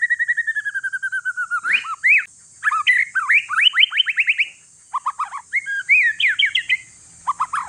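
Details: Noisy song of a one-year-old white-rumped shama from Aceh forest lineage, Indonesia, meant to stir other shamas into singing: a falling run of repeated notes, then rapid trilled bursts and sharp chips separated by short pauses.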